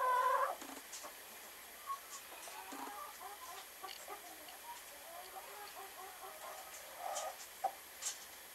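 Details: Speckled Sussex hen laying an egg: a short loud squawk opens, followed by soft, scattered low clucks and murmurs with a few sharp clicks in a quiet setting.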